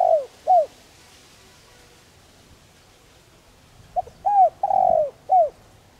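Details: Spotted dove (cu đất) cooing softly for decoy training. The tail of one phrase is followed by a pause, then a full phrase: a quick note, an arched coo, a long buzzy coo and a short falling coo.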